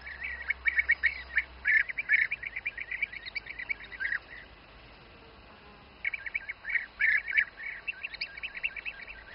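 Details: Bee-eaters feeding their young in the Přerov region of the Czech Republic, giving quick bursts of rolling, purring notes from several birds, with a pause of about two seconds midway before the calling resumes.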